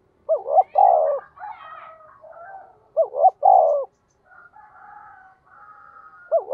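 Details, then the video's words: Spotted dove played as a lure to provoke wild birds, with a local-style fast cooing call: a short two-note cooing phrase followed by a long drawn coo, given twice about three seconds apart, with quieter faint coos between. "cu gay kich boi nhanh noi gù, tiếng thúc cực đỉnh"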